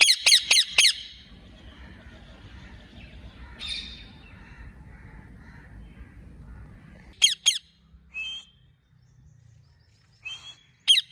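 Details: Ring-necked parakeet kept as a talking pet, bursting out with rapid harsh squawks at the start, a long quiet stretch, then more sharp squawks near the end.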